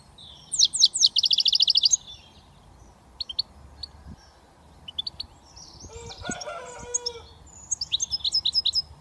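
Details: Young European goldfinch from Britain beginning to whistle, opening with a fast buzzy trill, then sparse thin chirps, a short lower tonal squeal midway, and a closing run of rapid twittering notes.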